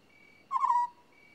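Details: African scops owl uttering one short purring note, low and trilled, about 0.35 seconds, with a faint steady high tone before and after.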